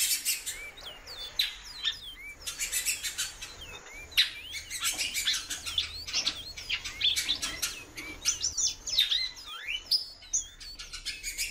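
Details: A female great-billed seed finch (Sporophila maximiliani) calls a lot, giving rapid, high chirps and short up-slurred notes, several each second, mixed with sharp clicks and other small bird twitters.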